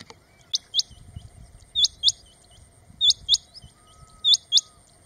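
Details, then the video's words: Rain quail calling in open grassland habitat: crisp high double notes, four pairs in five seconds, each pair quick and evenly spaced, with soft low rumbling noise underneath. "Rain Quail Coturnix coromandelica - callling"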